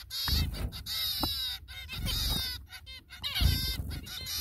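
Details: Zebra finches, parents feeding their young chicks: repeated nasal, buzzy calls in short bursts, with soft low thumps and shuffling noises scattered throughout.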